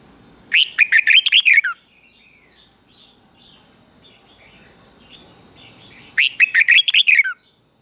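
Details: Red-whiskered bulbul giving its morning song, played to rouse low-spirited bulbuls into singing: two rapid, bubbly phrases of about eight notes each, roughly six seconds apart, with soft chirps and a steady high whine between.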